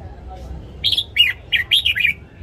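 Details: Morning song of a caged red-whiskered bulbul, used for training: after a quiet start, a single lively phrase of about five bright, rolling warbled notes over a low hum.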